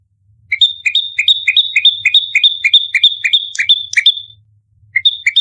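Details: Fighting bar-winged prinia used as lure and training audio, delivering a fast string of shrill paired chirps, a short lower note then a high whistled note, roughly three per second, breaking off then restarting.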